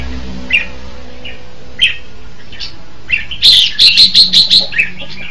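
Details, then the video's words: Red-whiskered bulbul giving a few spaced chirps, then a loud rapid run of about six bright, ringing notes repeated in quick succession, over a faint low hum. "Tiếng chim chao mào hay hay nhất"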